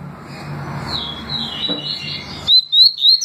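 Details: Double-collared seedeater performing tui tui and deputado song: wavering high notes over rumbling background noise, then three crisp rising whistles in quick succession once the noise cuts out.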